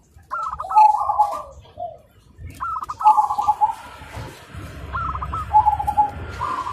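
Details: Several zebra doves singing back and forth at dawn: three separate phrases of quick staccato cooing notes spaced a couple of seconds apart, over a low background murmur.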